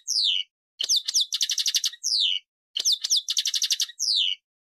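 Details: Goldfinch song in the passades style, with downward-slurred whistles, sharp upswept notes and a quick chattering trill, the phrase sung twice with short pauses.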